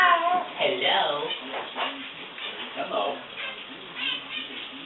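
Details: Young male Eclectus parrot, 7 months old, attempting to say "hello" in several short, speech-like phrases with wavering, rising and falling pitch, mixed with his owner talking to him in a small room.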